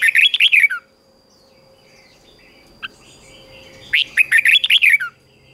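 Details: Training song of a red-whiskered bulbul for stimulating weak birds: a fast, bubbly burst of warbling whistles opens, a long quiet gap with faint distant birdsong follows, then a second rapid warbled phrase.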